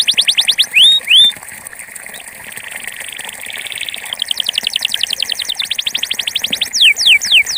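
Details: Belgian canary, campainha song type, giving quick falling whistles and two rising upslurs, then a soft buzzy rolled passage, followed by accelerating rapid trills and a few slower descending sweeps at the end.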